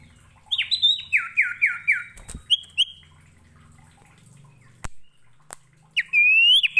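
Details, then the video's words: Common iora song used as a lure for lazy-singing ioras: a rapid run of five descending whistled notes, two brief higher notes, a quiet pause with clicks and knocks, then a loud rising whistle. "SIRTU CIPO GACOR,SANGAT AMPUH UNTUK MELATIH MENTAL MEMANCING SIRTU LAIN YANG MALAS BUNYI"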